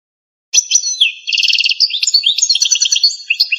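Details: Algerian goldfinch in the campero song style from a pipinière lineage: a bright, rapid twittering song of high tinkling notes, fast rattling trills and quick slurred whistles, delivered without pause against a silent background.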